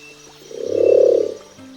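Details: Sunda scops owl (Otus lempiji), a Southeast Asian forest owl with a soft, whistle-like call heard at night: one soft, low hooting note that swells and fades within about a second, over a steady musical drone.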